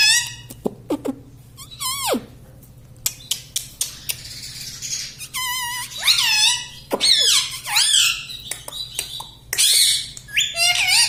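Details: Talking pet parrot that says "mummy", indoors: a run of loud, raspy, wavering harmonic utterances with rising and falling bends, roughly one burst a second, between soft clicks and taps, with a low steady hum behind.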